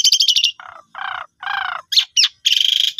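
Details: Asian pied starling song used as a lure for silent birds: a fast high chatter, three low grating rasps, two sharp squeaky notes, then a buzzy rattling trill.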